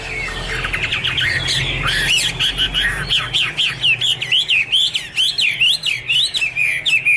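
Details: Chinese hwamei starting with mixed warbling, then settling into a clear series of looping whistled phrases repeated about twice a second, loud and evenly paced.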